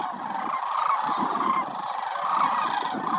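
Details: Many sandhill cranes from a wintering flock of over 20,000 at Willcox Playa Wildlife Area call together: overlapping bugling, rattling notes merge into a steady roar.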